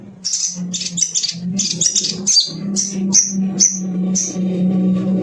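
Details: Little spiderhunter song used to prompt other birds to sing: a run of sharp, high chips and short downslurred notes in quick bursts, over a steady low electrical hum.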